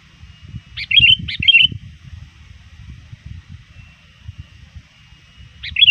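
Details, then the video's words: Sooty-headed bulbul, a bird often trained, still very active at dusk and calling rivals: two quick bubbly whistled phrases, a pause of about four seconds, then another phrase, over faint low rumble. "suara burung kutilang gacor memanggil lawan"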